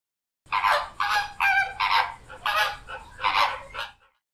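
A flamingo gives about seven harsh, goose-like nasal honks in quick succession, each brief and roughly half a second apart.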